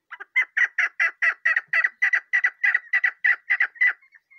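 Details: Chukar partridge chick calling: a loud, steady series of about fifteen harsh, clucking chuk notes, roughly three per second, over a faint continuous thin whistle, then trailing off into softer short notes.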